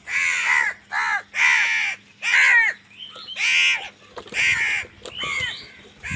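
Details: Crows fighting for food, giving loud, harsh, drawn-out caws, about seven in quick succession, each a coarse nasal bark with brief gaps between, plus a short higher rising note near the middle.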